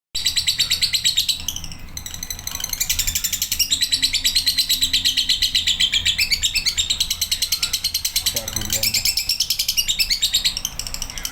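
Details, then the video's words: Male lovebird singing, a long continuous run of rapid, harsh, high chattering notes pulsing several times a second with little pause, accompanied by a steady low background hum. "love bird jantan durasi"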